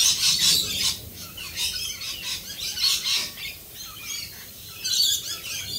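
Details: Flock of Australian rainbow lorikeets calling in the rain, loud shrill squawks and raspy chatter running almost without pause, several birds overlapping, with rain noise beneath.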